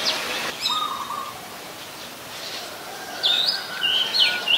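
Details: Oriental magpie-robin, a very common resident, singing at Ubon Ratchathani, Thailand, on 27 December 2020: a few clear whistled notes, some rising and falling sweeps, separated by a quiet gap, over faint background hiss.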